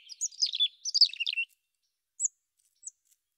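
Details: Mountain chickadee chirping: two quick, tumbling bursts of high, chippy notes fill the first one and a half seconds, then two thin, isolated high chips follow after a pause, against an otherwise silent background.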